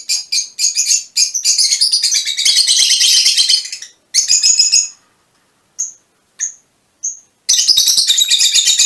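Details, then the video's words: High, rapid chirping from Fischer's lovebirds of a mutation colour form, a long continuous burst of twitter followed by a few isolated sharp chips, then more chatter. "mutación del agapornis - mutation fisher lovebirds"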